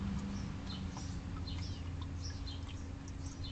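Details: House sparrows bathing in a bird bath, a juvenile common grackle briefly intruding; short high chirps scattered irregularly through the moment over a steady low hum and soft splashing.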